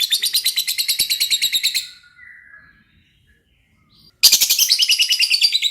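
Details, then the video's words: Lovebird singing a rapid, rattling chatter of high pulsed notes, stopping for about two seconds of near quiet with a soft low whistle, then resuming loudly. "burung Lovebird paling keren dan gacor"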